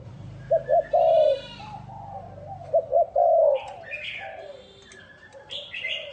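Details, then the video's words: Spotted dove decoy bird cooing to lure wild doves: two bursts of soft, mid-pitched coos, each of two short notes then a longer drawn-out hum. Higher, chattering calls of other birds follow in the second half. "Tiếng chim cu gáy gù gọi hay cực chất dùng kích bổi gù kich mồi"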